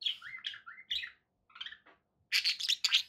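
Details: Pet budgerigars calling with short warbled chirps and sliding whistled notes, a pause, then loud, bright, clustered squawky chirps to close.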